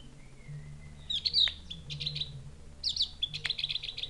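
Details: Javan grey-throated white-eye from forest on Mount Wilis, a call said to resemble a chick calling its mother: two bursts of high, sharp chirps and twittering notes, with a steady low hum beneath.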